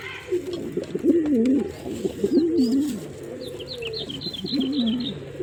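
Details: Male pigeon coos in low wavering phrases, accompanied by a quick series of high chirps from another bird.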